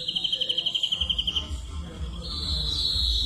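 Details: A European greenfinch sings a fast, even trill of about fourteen high notes a second, then a drawn-out wheezy buzz, over a low rumble of background noise.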